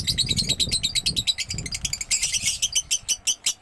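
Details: Gacor-style singing from a young lovebird, a rapid, continuous run of shrill chirps and buzzy notes that swells into a denser, harsher burst near the middle, with low background rumbling beneath.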